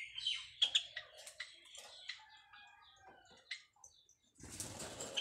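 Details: Nesting white Java sparrows making mating sounds: a string of sharp, clicking high chirps repeated in an irregular patter, ending in a burst of rustling noise.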